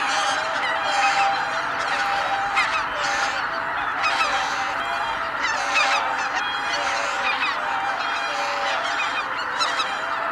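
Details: A large flock of greater white-fronted geese at Kabukuri-numa takes off all at once on 12 January 2019, a dense chorus of many overlapping high yelping honks calling continuously.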